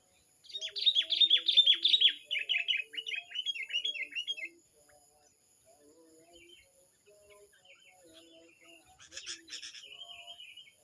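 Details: Sooty-headed bulbul sound used for luring birds: a four-second burst of dense, rapid high chirped notes, then softer, lower scattered notes, all over a constant high electronic whine.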